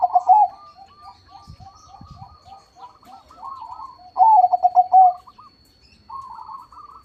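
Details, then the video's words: Crossbred zebra dove, gacor and loud-voiced, opens with a rolling coo, then delivers a fuller bubbly phrase near the five-second mark. Rapid faint coo series from several other doves chatter continuously behind it. "PERKUTUT CROSSING GACOR SUARA BESAR"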